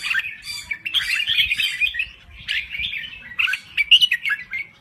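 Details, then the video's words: Thai red-whiskered bulbul in lively song: a continuous stream of fluid, whistled, warbling notes with quick rising and falling slurs and a few brief breaks. "Kicau Burung Merbah Jambul Gacor"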